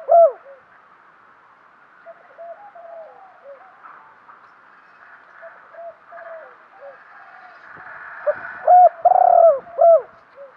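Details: Spotted dove used as a decoy, cooing to lure wild birds. One loud falling coo at the start, then a long stretch of faint overlapping coos from other doves, and near the end a loud phrase with a rolling pulsed coo.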